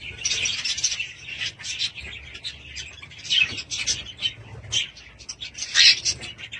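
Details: Budgies call in irregular bursts of squeaky chirps and warbled twitters. Louder chirpy phrases stand out near the start, middle and end.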